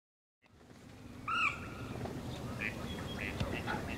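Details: A wary Western (purple) swamphen at Olhão Nature Reserve, Portugal, in late December 2011 gives one short, nasal, trumpet-like call that rises slightly and then holds steady; faint chirps and a low background rumble follow.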